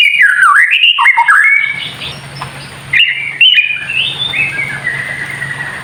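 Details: White-rumped shama kretekan song, meant to provoke other shamas: a quick tumbling whistled phrase, a pause filled by low hum, then another burst of bright rising whistles fading out.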